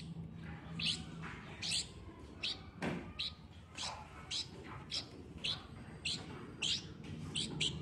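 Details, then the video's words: A hand-raised, 3-week-old light-vented bulbul gives high, thin begging chirps about one every half second to second, over a faint low hum and brief rustle; it calls loudly and shakes its wings when hungry, treating its keeper as a parent. "Hand raised light-vented bulbul - it regards me as a parent bird"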